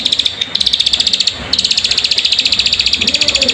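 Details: Plain prinia sounds used to coax birds into song: rapid repeated metallic high notes in long runs, a pause near the start, with soft lower chirps in the background.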